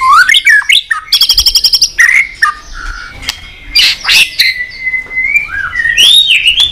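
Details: Excited male-style singing of a caged white-rumped shama, tail flicking while singing many phrases: rich rising whistles, a rapid buzzy trill, sweeping slurred notes and a long steady whistle.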